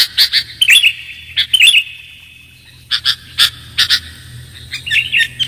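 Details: Sooty-headed bulbul calls for luring birds: short bursts of high, buzzy chirps with a quiet gap of about a second in the middle, then more scattered notes.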